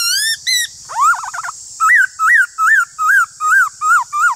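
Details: Black-throated laughingthrush, a kept bird, in a singing duel with another laughingthrush. Loud clear whistles: brief high rising notes, then a wavering slurred phrase, then seven arched, ringing whistled notes repeated about three times per second.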